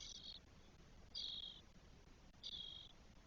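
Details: From a Spotless starling nest holding four twelve-day-old young in Spain, 1 June 2022: three wheezy, rasping calls that start slightly higher then level off, spaced about 1.2 seconds apart.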